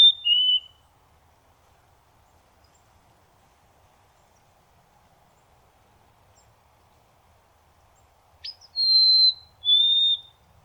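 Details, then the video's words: White-throated sparrow singing in North America: a brief low whistle at the start, a long quiet stretch with faint background hiss, then a sharp note followed by two long pure whistles, the second lower. "Stunning White-throated Sparrow Singing"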